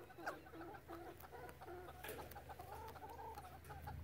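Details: A calm chicken flock produces a run of short, repeated harmonic clucks and murmuring notes, several birds overlapping, with a constant low background hum.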